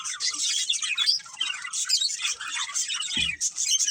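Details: Budgerigars, a breeding pair, chirping: dense, continuous high warbling chatter with rapid twittering notes, briefly interrupted by a low thump near the end.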